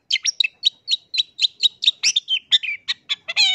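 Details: Lure song of a singing Long-tailed shrike, played to stir other shrikes into calling: a rapid, even run of sharp, high chirps, roughly four a second, closing on a harsh, buzzy note.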